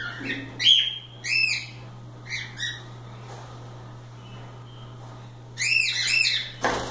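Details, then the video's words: Free-flying pet cockatiels playing and having fun: arched, harmonic chirps in quick clusters near the start, another pair of notes around two seconds, then a dense burst of overlapping calls at the end, over a steady low electrical hum. "Calopsitas Live Canto dos pássaros"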